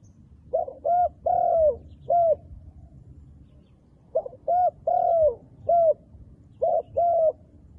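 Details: Repeated cooing phrases from a wild dove with black-spotted plumage. Each phrase is a short double note, a long slightly falling coo and a closing short note, recurring about every three seconds.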